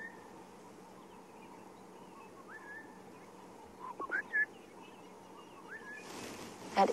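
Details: A Southern Boubou in thick drainage vegetation at Sabi Sand, South Africa, at sunrise on 23 March 2016, gives a few short, clear, fluty whistles, some rising, with a Cape turtle dove cooing behind, steady outdoor hum, ending in rustling.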